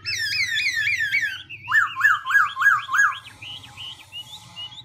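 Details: Black-throated laughingthrush shifting its song repeatedly: a fast series of warbled, looping notes, then five loud even whistles rising and falling about every third of a second, fading into softer chirps.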